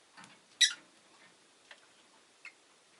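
A rosy-faced lovebird gives one sharp, shrill chirp, with a few faint ticks and clicks in an otherwise quiet room.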